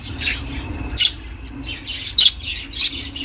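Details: Domestic budgie chirping, recorded to keep lone budgies company; a few sharp, bright chirps about once a second mixed with softer warbling notes against a low hum.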